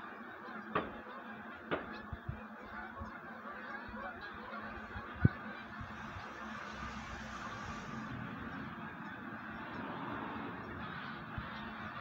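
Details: Large gathering of wild geese readying for migration honks nonstop in a thick chorus; a few sharp snapping bangs cut through.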